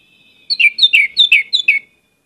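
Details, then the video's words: Orange-headed thrush in vigorous, varied song used as a lure recording: a fast run of about six sweet whistled notes, each dropping in pitch, packed into just over a second, clean with no other sounds. "pancinagan anis merah gcor banyak isian"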